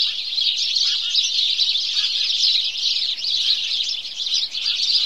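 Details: A flock of house sparrows giving their morning chorus: busy, overlapping bright chirps pouring out without pause, a few slightly lower notes poking through, loudness wavering gently.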